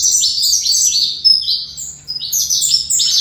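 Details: Caged saffron finch, a 'fibra' type bird, singing a continuous run of bright, high whistled and buzzy phrases with quick sweeps and trills, loud and close with no other sounds.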